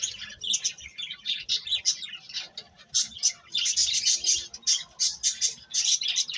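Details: Bright, high-pitched bird chirping in short bursts, several tweets a second in rapid rhythmic clusters with brief pauses, lively and sustained throughout, faint low background hum.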